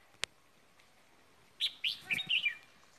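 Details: Decoy red-whiskered bulbul, Ba Vì, Vietnam, after Tết; a sharp click, a pause, then a quick tumbling phrase of bright whistled notes.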